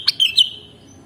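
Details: Sooty-headed bulbul (kutilang) song in a mastering recording. A quick click precedes two chirpy, liquid whistled notes that slur downward and fade into a long thin tail.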